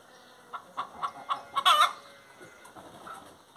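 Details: Hen singing: a series of soft clucks roughly every quarter second around one loud squawk, with a steady background hiss.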